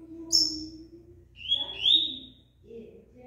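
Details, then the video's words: Double-collared seedeater singing while in moult: a high thin note, then two short buzzy, slightly rising whistles around the middle, over low background murmur. "COLEIRO KRIPTON, MESMO NA MUDA NAO PARA"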